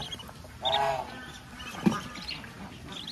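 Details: A single harsh, nasal quack from a farm duck guiding ducklings to food, then a sharp knock and faint high peeping.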